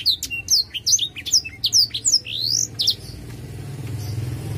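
Black-throated Canary singing a fast, jumbled run of high, sweet whistles and slurred notes for about three seconds, then fading under rising traffic rumble.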